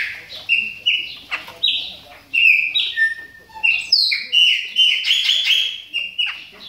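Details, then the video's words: Chopi blackbird kept in a cage, warming up while in moult: a rapid run of clear whistled notes at varying pitches, some slurred downward, growing denser and overlapping toward the end. "CHAMADOS DE PÁSSARO PRETOS AQUECENDO NA MUDA !"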